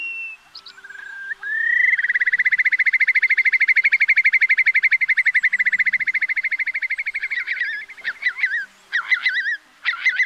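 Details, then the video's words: Eurasian curlew calls played as a lure for night net trapping during August 2024 migration: brief whistles, then a rising whistle that breaks into a long, fast bubbling trill of even pulses, fading into scattered looping notes. "Tiếng Choắt Mỏ Còng Lớn"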